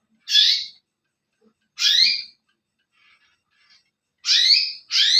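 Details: Masteran bird calls meant to make other birds answer: four separate sharp chirps, each a quick downward-sweeping whistle, spaced by one to two seconds of silence.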